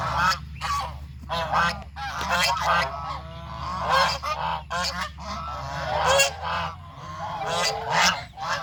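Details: Geese on a farm walking as a group to find food, calling in a noisy chorus of harsh, overlapping honks repeated every second or so, with a constant low hum underneath.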